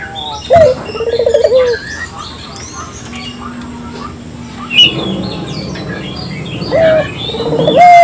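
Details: Puter dove calling as a lure: a rolled, burred coo phrase near the start and again near the end, separated by quieter background chirps of other small birds and a low steady hum.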